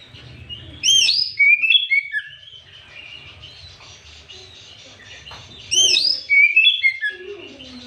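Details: Oriental magpie-robin singing in the afternoon, used as a provoking lure for other magpie-robins. Two separate bursts of rich whistled phrases about five seconds apart, each with a high sweeping opening and falling notes, quiet between.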